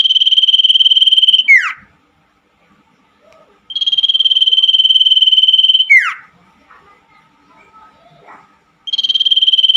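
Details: Common iora song for nighttime therapy of caged birds with stalled voices: sustained high pulsed trills ending in falling slurs, separated by about two seconds of near silence.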